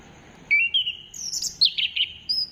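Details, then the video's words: Orange-headed thrush (anis kembang) song used as a lure to prompt singing, recorded 15 December 2025: a clear rising whistle slurs into a run of high, bright, warbled phrases. "Gacorkan Burung Anis Kembang Dengan Pancingan Suara Ini"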